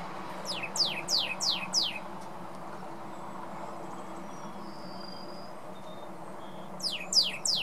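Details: A female Pyrrhuloxia, recorded in Texas, sings a quick series of five sharp, steeply falling whistles, then a shorter burst of the same notes, over a steady low rumble.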